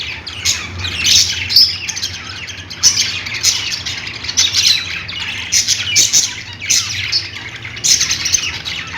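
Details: Many budgerigars chirping together: bursts of rasping chatter and shrill squeaks every second or so over a quiet background hum.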